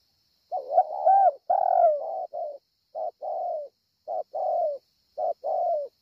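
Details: Spotted dove cooing at Ngọc Hồi, Vietnam, on 25 March 2020: low hoarse coos in short-and-long pairs, with a few sliding upward notes near the start and irregular pauses between phrases. A faint high hiss runs in the background.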